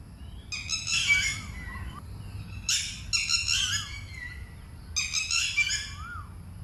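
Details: Red-wattled lapwing in a leafy Buddhist park in Thailand, screaming alarm calls near its chicks as someone approaches; three bursts of loud, harsh, rapidly repeated notes about two seconds apart.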